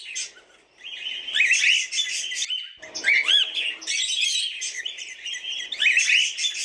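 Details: Cockatiels chattering nonstop, with rapid squawks and a few rising whistled slides mixed in.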